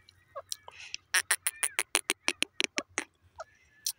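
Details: Grey francolin, or teetar, giving a fast, fairly quiet string of sharp, clipped notes, about three each second, with low background hum and a few softer notes before and after.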